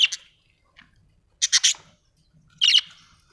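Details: Budgerigar chirping in three short bursts: a sharp pair of notes, a rapid triple of loud buzzy chirps, then a final rasping chirp, with faint low background sounds.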